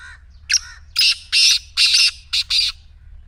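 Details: Black francolin calling, played to make a silent kept partridge start calling: a series of harsh, grating bursts, six in about three seconds, the middle ones longest and loudest, over a low background hum.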